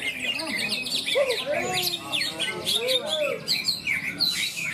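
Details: Greater green leafbirds (cucak ijo) competing in a songbird contest beside a field in Malinau, North Kalimantan, Indonesia. Rapid high chirps and twittering slurred notes overlap continuously, with human voices and crowd chatter underneath.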